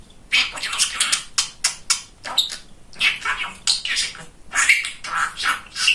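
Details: Talkative pet male budgerigar, described as very chatty and funny, indoors; rapid chattering bursts of harsh, speech-like warbling in quick successive phrases with short pauses between them.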